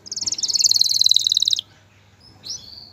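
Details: Male canary trilling to encourage a female to breed and build her nest; a rapid pulsing high trill rising in loudness then dropping in pitch, followed by a faint thin whistle.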